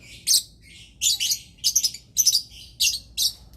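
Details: Lovebird during mating, giving a series of shrill, harsh high chirps in bursts roughly every half second, each burst a rapid cluster of squeaky notes, over a quiet background.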